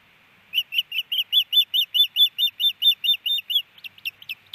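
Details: Osprey at its nest in Hellgate Canyon, Missoula, Montana, on April 12, 2019, the male hushing the female: a rapid run of about sixteen sharp, high chirps in quick succession, followed by softer, scattered chirps.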